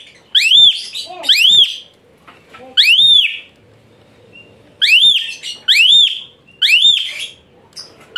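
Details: {'caption': "Asian pied starling used as a master recording to train fighter songbirds, delivering rough, shrill, high-pitched 'shot' phrases: loud slurred whistles rising and falling, given in bursts of two or three with short pauses between."}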